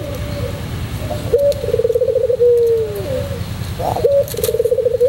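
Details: Tutor recording of a white puter pelung dove: a pulsed, rolling coo trailing into a long, gently falling tone, then a fresh phrase starting with a quick upward note. A steady low hum and faint clicks sit behind it.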